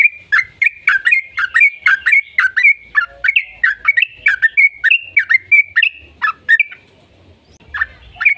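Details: Lure song of a yellow-vented bulbul, long rapid 'ropel' style for prompting other bulbuls to answer. Quick bubbling whistles about four per second, some sliding downward, fading to sparse notes near the end.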